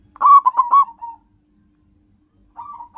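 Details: Local zebra dove calling for luring: one short loud phrase of three quick cooing notes ending in a fading tail, silence, then a soft rolling coo starting at the end.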